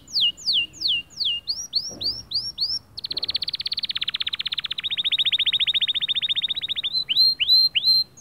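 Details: White male canary in full song meant to motivate other birds: falling whistled notes in quick series, a long rattling trill of fast identical notes, then rising swept whistles.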